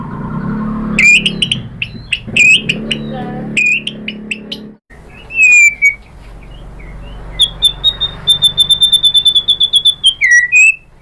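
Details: White-rumped shama singing to provoke rival shamas: clear sliding whistles and sharp notes in separate phrases, then a fast run of rapid repeated metallic notes near the end, with faint low background hum.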